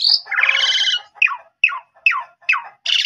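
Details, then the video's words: Asian pied starling singing energetically to draw replies from other starlings: a high whistle into a long grating buzz, then four falling whistled notes spaced about half a second apart, ending in a harsh rasp. "Jalak Suren Bahan Langsung Respon Nyaut Gacor"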